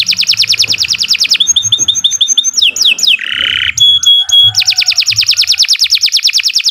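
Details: Canary in continuous song, meant to teach other birds: a rapid even trill, a phrase of sharp whistled notes, a buzzy burst, a few clipped whistles, then another long fast trill.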